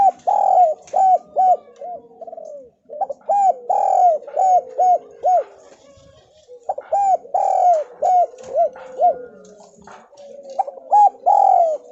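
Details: Spotted dove, local Javanese type, used as a lure to make lazy doves call: loud repeated coos around 600-800, rising and falling notes in bursts of about five, separated by short pauses, with faint softer cooing between.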